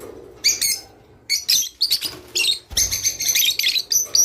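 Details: Song of the Java sparrow, used to encourage breeding: irregular clusters of high, ringing chirps building into a longer continuous twitter toward the end, with one low thump.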